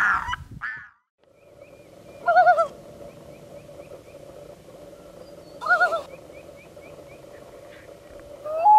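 A duck gives two loud, nasal quacks about three seconds apart, over a steady low hum with faint, high, repeated chirps in the background.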